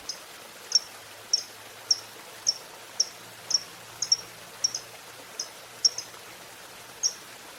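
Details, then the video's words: Fighter lovebird in the ngetik ticking style, used as a lure for quiet birds. Soft, thin, high ticks repeat irregularly about every half second over background hiss. "Pancingan Suara Lovebird Gacor Fighter"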